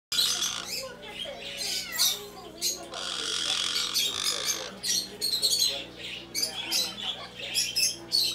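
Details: A closely bonded pair of black-headed caiques in a bird shop in Mizunami, Japan: harsh, buzzy squawks and screeches in rapid bursts, some long and grating, over a steady low hum and faint voices.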